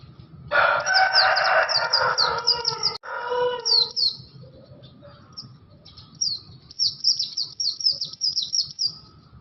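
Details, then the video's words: Unusual vigorous song of a Bustomi/Buxto Oriental white-eye: quick, high downslurred chirps in rapid series, overlapped for the first three seconds by a loud lower harmonic sound, then a clear twittering run. "SUARA ANEH BURUNG PLECI BUSTOMI/BUXTO GACOR"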